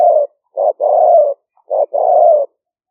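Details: Decoy recording of a spotted dove in the liu fueang style from rice fields in Roi Et, Thailand, rainy season 2021, smartphone: steady mellow coos, a brief note followed by a sustained slightly falling coo, repeated in close succession.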